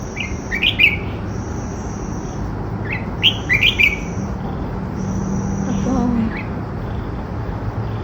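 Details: Red-whiskered bulbul singing close to a house garden during light rain: short bright warbled phrases around 0.5–1 s, 3–4 s and 6 s, over steady rain hiss and low background hum, with a woman's voice faintly near the end.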